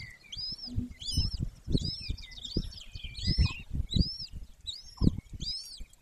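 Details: Golden eagle nest of a female and male in Bucovina, Romania, Carpathian Mountains, 18 May 2024 at 14:19: a steady series of high arched whistled calls every half to one second over low thuds and rumbling.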